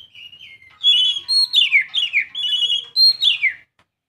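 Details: Young Oriental magpie-robin singing: soft level whistles open, then a loud run of about six clear whistled phrases, several sliding steeply downward, delivered over roughly three seconds before stopping; no other sounds intrude.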